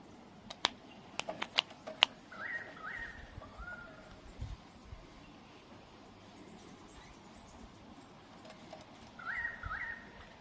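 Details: A hungry, irritable Australian kookaburra gives short, throaty chuckling notes in two brief bursts, after several sharp clicks or taps at the start.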